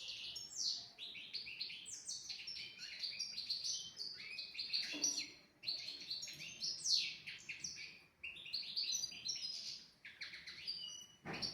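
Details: Tutor recording of European goldfinch song for young goldfinches and canaries, long phrases of sparkling twitters, downslurred chips and buzzy trills with brief dips between phrases and a sharp click at the end.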